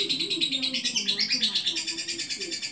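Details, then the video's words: Adult lovebird giving a long ngekek, a sustained chattering trill: rapid pulsed high notes repeated about eight times a second without a break, over a lower wavering tone. "LOVEBIRD DEWASA NGEKEK PANJANG"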